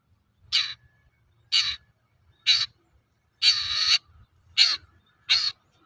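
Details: Long-tailed shrike giving a lure to prompt other shrikes to sing: six harsh, grating, scolding notes, one noticeably longer and drawn out, over a quiet low rumble.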